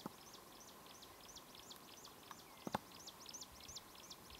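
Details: Chinese leaf warbler in China, 2008, giving a fast run of high, thin, sharply bent notes, roughly four or five each second, with constant background hiss and a brief loud knock near the end.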